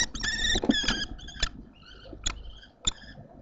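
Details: Common kestrels changing over on the eggs at a nest in Théding, 2 May 2024, during incubation; a burst of harsh, clicking chatter mixed with sharp ringing notes, then a few spaced bright calls with rustling.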